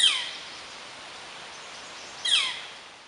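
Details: Northern Flicker giving two loud, harsh, downslurred 'kleer' calls, a very common alarm sound, about two seconds apart, each starting high and dropping sharply, over faint background hiss.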